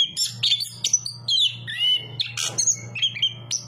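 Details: Chestnut-capped thrush giving a sequence of clear descending whistles and short chirps, about two notes per second, with a low droning hum underneath.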